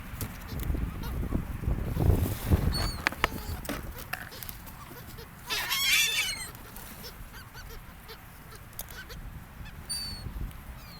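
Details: Seagulls on a beach by the ocean, where they interact with people: one loud burst of harsh, stacked squawks midway, with a few fainter high cries before and after over steady low surf and wind rumble.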